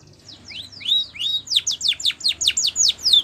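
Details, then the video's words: Spanish Timbrado canary song for training canaries, a series of bright downward-sweeping whistled notes repeated rapidly and evenly, growing louder through the phrase. "Spanish Timbrado song For Training"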